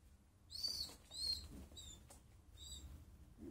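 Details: Small pigeon giving short high-pitched squeaky calls, two clear notes in the first second and a half, then fainter repeats, over a low steady background hum.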